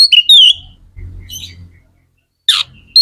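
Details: Kacer magpie-robin song used to get other magpie-robins singing: two brief whistled falling phrases, a faint note, then a harsh burst and the start of another whistle, low hum between.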